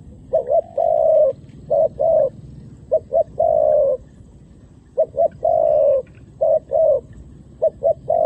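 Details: Coos from a decoy dove luring wild doves onto the ground, where females and males descend. Paired notes, brief then prolonged, come in groups with short pauses between them. Soft background hum.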